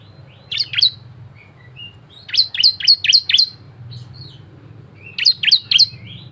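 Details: Bar-winged prinia in varied song used as a lure for other prinias: three bursts of fast, sharp, downslurred buzzy notes separated by short pauses with faint thin whistles between.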